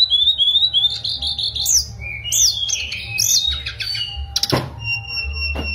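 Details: Mangrove blue flycatcher song opening with repeated rising whistles, then bright slurred phrases and trills, ending in scattered notes interrupted by two loud sharp clicks over a low hum.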